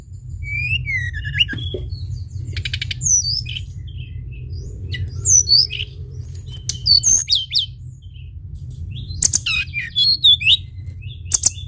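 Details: Sunda bush warbler in energetic song for luring birds: a bright downslurred whistle opens, followed by buzzy rattles, looping high whistled phrases and sharp clicks spread across the clip over steady low rumble.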